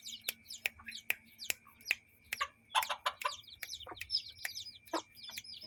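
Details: Chickens with their chicks in a yard and coop. Short, sharp clucks and knocks come in quick succession, mixed with high descending peeps from the chicks and a faint steady whine.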